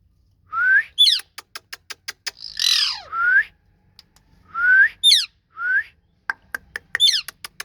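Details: Ringneck parrot said to be talking: rising whistled notes repeated several times, sharp high squawks, a harsh burst near the middle and runs of rapid dry clicks.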